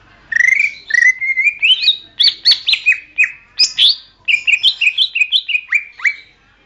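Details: Greater green leafbird singing for songbird training: a long, varied run of loud whistled notes, some slurred upward, some dropping sharply, interspersed with crisp clicks, delivered in fast irregular bursts throughout.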